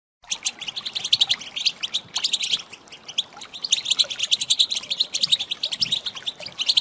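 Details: Female European goldfinch calls, meant to stir male goldfinches into answering and singing; dense, rapid high twittering and chirps, many overlapping notes with no pause.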